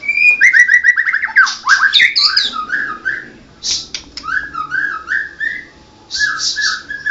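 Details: White-rumped shama, Medan type known as blorok, pours out rapid stuttering whistles, then rising slurred notes and scratchy buzzes, pausing briefly before another phrase.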